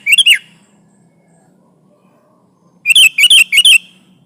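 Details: Sooty-headed bulbul singing hard to press a rival, used as a lure for trapping: a quick cluster of sharp, squeaky chirps, a long silence, then a run of four or five rapid bright notes.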